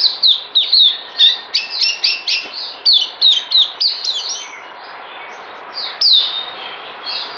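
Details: Caged white-eye recorded 9 December 2018 before deworming sings a quick run of sharp high whistled notes, then fades to softer, scattered notes before one final loud phrase.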